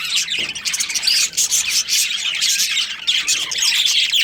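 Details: Budgerigar breeding pair in a colony giving constant chirping, a busy overlapping mix of fast warbles, clicks and sharp squeaks, high and unbroken throughout.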